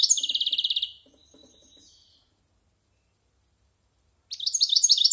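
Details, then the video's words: European goldfinch over a year old, a silvestrismo bird rehearsing its varied song: a fast buzzy trill of evenly pulsed high notes for about a second, a few faint twitters, a silent gap, then a new burst of liquid chirps. "Cante de Jilguero"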